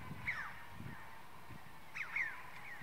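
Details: Red-billed chough at Songzanlin Monastery, Shangri-La, Yunnan, China, recorded 18 April 2019; two short, harsh, downslurred calls, one near the start and a doubled one about two seconds later, over low rumbling background noise.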